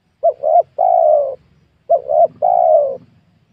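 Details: Spotted dove cooing in a small oil palm plantation where wild doves are lured; two soft three-part phrases, quick paired notes then a sustained falling coo, over a faint low hum.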